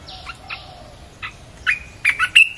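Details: Red-whiskered bulbul song for luring wild birds: faint downslurred notes from a distant bird, then a louder rising run of bright, chirpy warbled notes near the end.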